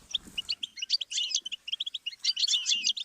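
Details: Goldfinch song used as a learning stimulus for songbirds: rapid, high twittering of short chirps and trills, densely packed, with a faint low thud near the start.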